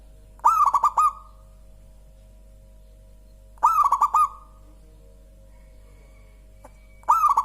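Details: Mellow song of a local zebra dove: three stuttering cooing phrases, each a quick rolled series of soft notes ending in a hum, repeated roughly every three seconds, with a faint tick between.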